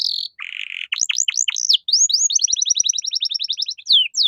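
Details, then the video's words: Canary song for training caged songbirds: a buzzy rattle, then sharp downward-sweeping whistles and a fast, even trill of repeated high notes, ending in rising slurs. "MASTERAN KENARI GACOR || Cengkok Mewah Mudah Masuk untuk Burung Bahan"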